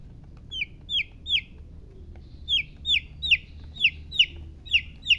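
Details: Domestic chicks chirping with sharp, high, falling peeps in short irregular runs. Three peeps come first, then a pause, then a quicker series of about eight more over a soft low hum.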